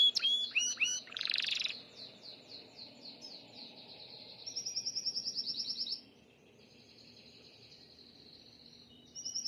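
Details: Gloster canary starting to come into breeding condition, singing high rapid trills: a harsh buzzy burst early on, then a long even metallic roll, a short pause and another rolling trill at the end.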